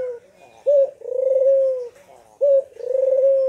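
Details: Barbary dove coo played to encourage quiet captive doves to call: two cycles of a quick sharp rising note leading into a long, smooth, steady low hum.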